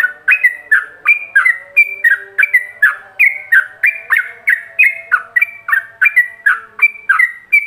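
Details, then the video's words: Yellow-vented bulbul singing ropelan-style master song for other bulbuls to imitate; long continuous chain of sharp whistled syllables alternating high and lower tones, about three each second, over a soft low hum. "Pancingan Masteran Ropelan"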